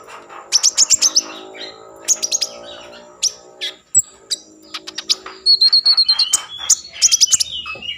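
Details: Common iora song used to stir breeding mood and prompt singing: rapid bursts of sharp high chirps and trills, with buzzy notes and some whistled phrases, delivered in quick clusters separated by brief pauses.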